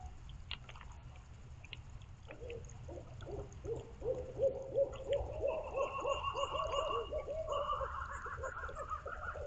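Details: Barred owls calling and responding on a rainy night below the North Georgia Mountains, foothills of the Appalachians: a rapid series of mid-pitched hoots speeding into a rolling, cackling run, with a second higher voice joining, over steady rain noise.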